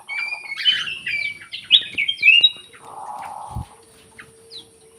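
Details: Black-crested bulbul lure song for birds reluctant to sing. A quick string of sweet, slurred whistles lasts about two seconds. A lower buzzy sound and a thump follow, over a faint high tone.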